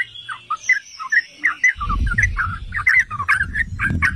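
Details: Lure song of a yellow-vented bulbul for agitating other bulbuls: short separated liquid chirps at first, then denser chattering notes over steady low rumbling noise.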